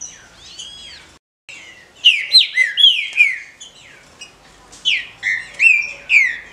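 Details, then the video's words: Calls of a female green-winged saltator for stimulating males: a faint arched note, a brief gap, then rapid series of bright, sliding squeaks in two runs. "CHIADOS DE FÊMEA ESQUENTE SEU TRINCA FERRO"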